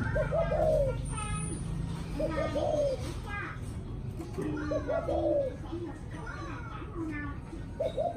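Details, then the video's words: A spotted dove repeats its low, mellow coo in the evening, four phrases of short stuttered notes closing on a drawn-out coo, spaced about two seconds apart, with voices audible in the background. "Cu gáy chiều tối"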